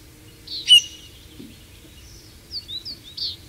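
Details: Eurasian bullfinch giving a sharp high note, then a quiet pause and a few soft, short chirps in quick succession, against a faint low background hum.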